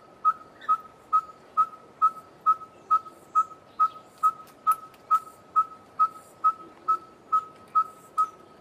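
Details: Red-fronted tinkerbird, whose monotonous call is often heard on hot days in mid summer, sounding loud, even whistled pips on a single pitch, about twenty in a steady run, with faint other birds in the background.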